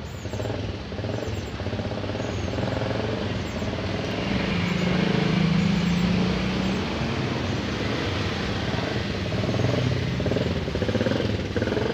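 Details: Steady engine and traffic rumble with broadband outdoor noise and a brief low hum, with no animal calls.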